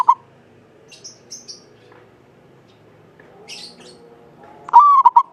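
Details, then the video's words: Local Javanese zebra dove, an eager singer with a long, clear voice, used to coax other doves into song. After faint high chirps from small birds, one full phrase rings out near the end: a rising coo and short rolling notes. "Perkutut lokal jawa gacor buat pancingan suara panjang bening"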